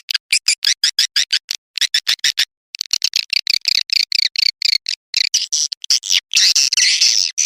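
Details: Anak Muda swiftlet lure call for attracting swiftlets. Rapid, evenly spaced dry clicks and chirps, a brief pause, a denser clicking run, then a harsh, continuous buzzing twitter at the close.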